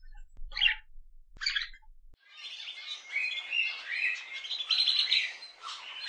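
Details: Budgerigars give two short isolated chirps, then burst into a continuous warbling trill of buzzy, wavering notes that lasts to the end.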